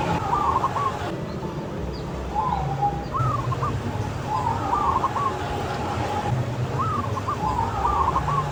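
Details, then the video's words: Local zebra dove with a big voice singing outdoors in the open: short bubbling, stuttered coo phrases repeated about every one to two seconds over a steady low rumble of background noise. "Perkutut Lokal Suara Besar Manggung di Alam Terbuka"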